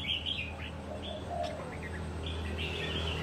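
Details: Red-whiskered bulbul, a wild-caught caged bird said to be ready for singing contests after one year, gives short warbled phrases at the start and end with a quiet gap between, over a steady low hum.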